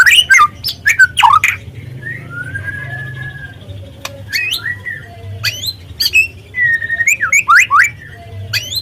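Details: White-rumped shama lure recording for young speckled birds: an opening burst of sharp chips, a long smooth whistle, a single click, then scattered rising notes and a twisting warbled phrase.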